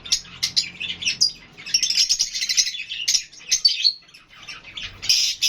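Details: Fischer's lovebirds and budgies calling while interacting: irregular bursts of shrill chirps and a few clear rising and falling whistles, separated by short gaps, ending in a loud burst of chatter.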